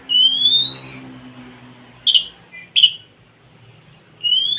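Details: Oriental magpie-robin song to spur a quiet bird: one long rising whistle, two short harsh notes, then another rising whistle beginning, over a faint low hum.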